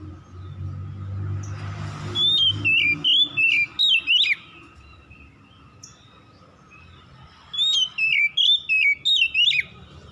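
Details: Oriental magpie-robin singing at dusk: two separate runs of about five or six quick, looping whistles, with a quiet gap of several seconds between them and a soft low hum throughout.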